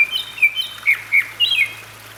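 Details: Grey-backed thrush in a valley with running water at Sinwonsa Temple, Gyeryongsan Mountain, Korea, May 2022: a rapid phrase of high, sharp whistled and chirped notes, about six in two seconds, against faint water noise.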